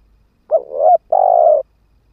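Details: Spotted dove kept as a ground decoy, cooing to draw in wild birds: a husky rising note running into a long, steady, mellow coo, all low and soft.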